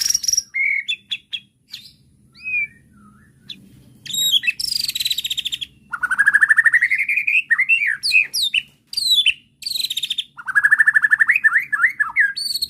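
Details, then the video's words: Agitated white-rumped shama answering a provoking bait recording and unloading its varied repertoire: loud rich whistles, rising sweeps and quick slurred phrases, some harsh high notes, delivered in dense bursts with brief pauses. "PANCINGAN JAHAT MURAI BATU EMOSI BIKIN LANGSUNG NYAUT DAN BONGKAR ISIAN DENGAR SUARA INI"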